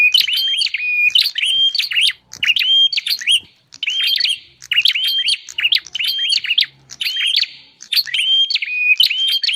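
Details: Lure for wild bar-winged prinias: a long run of energetic chirp phrases, each a cluster of clicks and bright whistled notes, repeated steadily with short pauses between groups.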